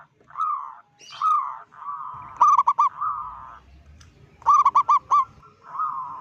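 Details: Zebra dove of local stock, loud and vocal, calling to stir up rival doves; long gliding coo notes repeat, broken by two bursts of quick stuttering harmonic coos.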